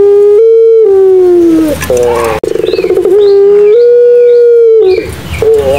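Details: Madura pelung Barbary dove giving extended coos. Sustained even tones slide down at their ends, with a fast pulsed rattle in the middle before another long held note. The sound is loud and close.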